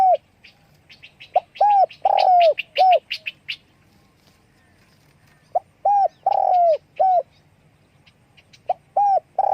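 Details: Spotted dove calling with wing flaps: repeated phrases of crisp short coos and a longer downslurred coo, several phrases over nearly ten seconds, with faint higher chirps from other small birds.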